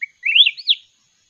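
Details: Mountain red-whiskered bulbul singing in a singing contest: one short, sweet warbled phrase, opening with a brief low note, then rising and falling, loud and clear against silence.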